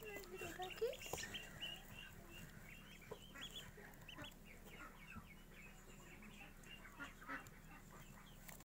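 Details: Day-old Magpie ducklings chirping in rapid, uneven bursts of short high peeps, a louder squeaky note early on, the calls tailing off into scattered chirps over faint hum.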